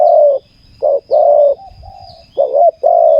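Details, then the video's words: Captive spotted dove, a captured bird prized for its good voice, used in ground decoy trapping: deep, mellow coos in short bursts, one long note, then paired notes and another long note. "นกเขาใหญ่ต่อดิน เจ้าGR จัดเชลยคารมเสียงดีให้อีกแล้ว"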